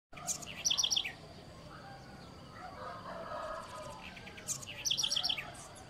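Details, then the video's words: Southern house wren (Troglodytes musculus, garrincha) sings two quick bursts of high, tumbling, twittering notes about four seconds apart, over a steady background hiss. "O canto da Garrincha"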